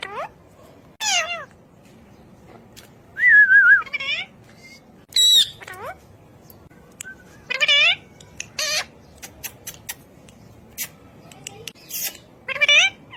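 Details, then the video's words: A talking ring-necked parakeet produces upward-curving meow-like calls, a wavering whistled note and clipped squawks, scattered irregularly over thirteen seconds with stretches of near silence between. "Raw Parrot Talking Video"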